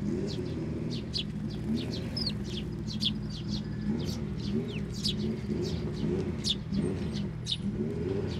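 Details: Sparrows at a Tenmangu shrine, coming onto a hand for food and feeding nestlings, 18 May 2024: many short, high chirps repeated throughout, over a steady low hum of traffic.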